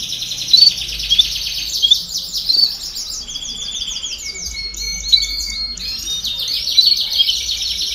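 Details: Canário do reino (domestic canary) in baderna style, intended to get young birds singing more quickly: continuous fast trills, a steady flat whistled tone in the middle, then renewed rolling tours.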